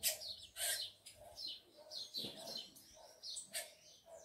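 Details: Tico-tico (rufous-collared sparrow) males and females kept by a breeder: sharp, high chirps and short downslurred whistles repeated irregularly over a soft, regular lower pulsing.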